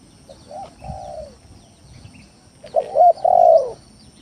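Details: Spotted dove cooing as a lure to draw rival doves and make reluctant ones call: soft low coos first, then a loud, throaty two-part coo ending in a long falling note; faint chirping above.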